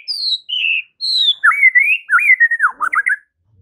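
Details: Morning song of a white-rumped shama, sung so that rival shamas answer at once. Pure high whistles first, then a rich run of looping, warbled notes that rise and dip rapidly in a fluid phrase.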